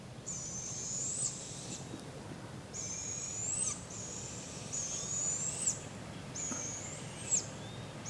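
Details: Barred Owl fledglings being fed by their parents and learning to hunt in a local park, Polk County, Iowa, July 6, 2017; long, high, hissing screeches about a second and a half each, repeated with short pauses over a low background rumble.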